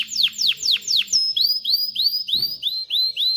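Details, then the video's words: Male canary singing to teach chicks to sing and stimulate females to mate: a phrase of four steeply falling whistled notes, then a fast run of short rising upslurred notes repeated about four per second, with a brief soft thump midway. "تغريد طائر كناري خرافي لتعليم الفراخ على الغناء والاناث على التزاوج، Canary singing"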